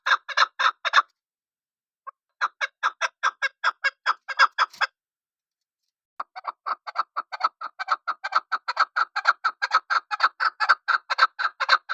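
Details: Chukar partridge calling in bouts of rapid, grating chuck notes separated by short silences, the final bout long and steady, several notes per second.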